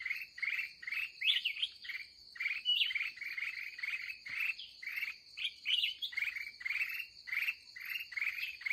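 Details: Aggressive wild red-whiskered bulbul in the last trapping session of the day, giving rapid bursts of chattering, slurred notes about three times a second, with brief whistled flourishes, against a constant shrill insect hum.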